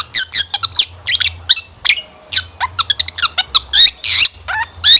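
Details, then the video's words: Lure recording of a long-tailed shrike, loud and varied: harsh scratchy chirps, sliding whistled notes and quick clicks packed closely together, used to make other birds start singing. "Kicauan Cendet Memukau! Pancingan Cendet Gacor Full Isian Mewah"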